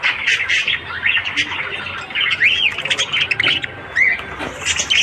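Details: Budgerigars singing in the morning: a lively warble of scratchy chirps mixed with clear arched whistles that rise and fall, several in quick succession around the middle, and a higher whistle near the end.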